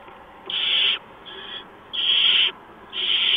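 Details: Predawn barn owl nest scene, 6 March 2015, with a mouse brought in; three to four dry, hissing screech bursts, the middle one quieter, separated by short silent gaps.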